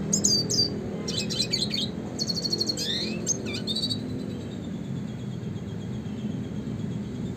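A red siskin sings bursts of rapid, high twittering trills and buzzy notes for about four seconds, then fades out over a steady low background hum.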